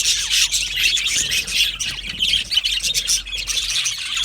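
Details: Australian budgies in an aviary colony, a dense chorus of many birds chirping and squawking at once, high scratchy warbling notes overlapping without pause.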